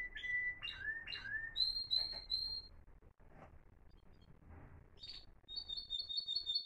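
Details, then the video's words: Timbrado canary of the Florealdo line, kept caged with two other singers in 2021, gives a few swooping whistles and brief high rolls, pauses in near silence, then resumes with a quick, level, high trill. "سنفونية رائعة لطيور تيمبرادو فلوريالدو"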